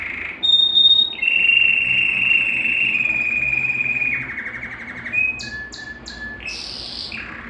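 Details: A Belgian canary holds a long, pure, level whistle for about three seconds, then adds sharp chips and a short buzzy phrase; song intended to stimulate males and bring females into breeding condition.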